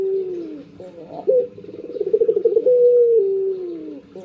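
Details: Captive Barbary dove at morning: a falling low coo, then a quick rising note, a throbbing pulsed roll and a drawn-out smooth hum sliding gently lower.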